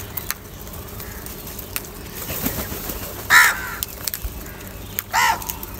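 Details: Two loud, hoarse caws about two seconds apart from a crow competing for food, over quiet background hiss with occasional clicks.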